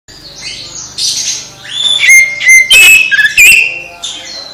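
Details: Oriental magpie-robin song played to stir a silent magpie-robin into singing again: varied whistled notes, short level whistles near the middle, sharp clicks and bright rising slurs, loud and close.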